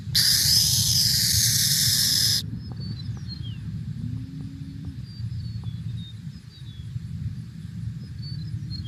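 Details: A stressed burrowing owl, a ground-dwelling grassland owl, gives its rattlesnake call: a harsh, buzzing rattle-hiss for about two seconds, then stops. Faint high chirps and a low rumble follow.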